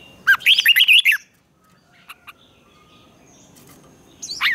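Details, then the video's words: Red-whiskered bulbul competitive singing, for training: one rapid warbled phrase of about six bright chirps. Near silence follows with a few faint ticks, then a single loud rising-falling note closes. "Chào Mào Hót Đấu"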